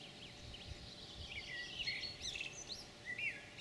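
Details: Song of a European pied flycatcher, 9 June 2019: a run of high thin notes and a few falling whistles, other birds calling around it over a steady low rumble of ambient noise.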